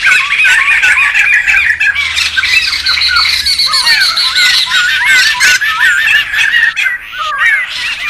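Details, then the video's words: Wild laughingthrushes calling noisily together, used for luring and tutoring birds: a dense, overlapping chatter of squawky, wavering and warbled notes, continuous throughout with sharp clicks mixed in. "SUARA PIKAT DAN MASTERAN SEMUA BURUNG POKSAY RIBUT ALAM LIAR"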